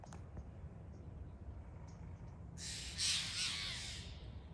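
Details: A quiet start gives way to one long, loud, raspy scolding call from a Steller's jay, broad and grating, fading out toward the end over low background rumble.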